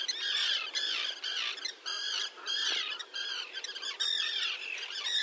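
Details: Common terns in a small breeding colony with chicks on a concrete block near a sea mole, 1.5 km from the shore at Liepāja, Latvia, June 2024, recorded with a Nikon Coolpix P1000. Harsh, grating squawks repeat in quick bursts, overlapping.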